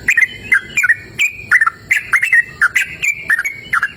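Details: A sooty-headed bulbul sings steadily outdoors in cool, open natural surroundings. Short bright chirps alternate with brief level whistles in an irregular, chattering rhythm.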